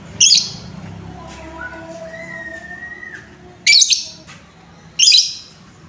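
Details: Lovebird bait sound to excite lovebirds: a harsh, buzzy high chirp, a quiet stretch with faint lower whistles, then two more raspy chirps close together.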